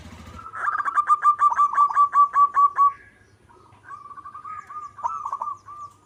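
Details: Local zebra dove singing actively: a loud burst of about ten rhythmic, slightly buzzy coos, followed by a softer, rolling, trilled cooing phrase that rises and falls.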